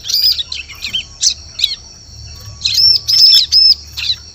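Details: Ciblek (bar-winged prinia) calling as a lure for birds in forest: scratchy high chips at first, then three clear, high, arched notes close together, with a steady shrill background tone.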